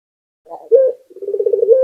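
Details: Local puter (Barbary dove) coo: a soft muffled start, a short bright note, then a quick bubbling rolled trill rising into a sustained tone.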